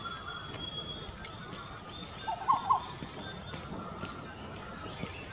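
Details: Yellow-billed blue magpie at breakfast in 2022 giving two quick, harsh, nasal notes close together, over steady background hiss and faint high thin calls of other birds.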